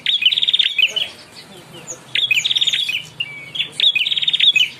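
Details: Singing young ashy prinia: quick runs of sharp, high, evenly spaced ticking notes in two-second phrases, each followed by a short pause and a thin whistled note.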